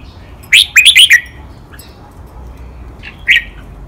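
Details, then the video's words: Caged red-whiskered bulbul on a training recording, singing in the doubled, counted-note master style called 'lak wai'. One quick phrase of four or five loud, clear whistled notes comes early, then quiet and a lone note near the end. "นกกรงหัวจุก | เสียงร้องเบิ้ลๆ นับดอก แม่บท ลากหวาย คมชัดทุกดอก"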